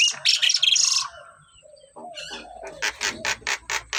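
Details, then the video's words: Javan myna singing actively, opening with dense scratchy chatter, then a short low nasal phrase and a run of sharp, harsh, evenly spaced bursts. "Jalak kebo gacor"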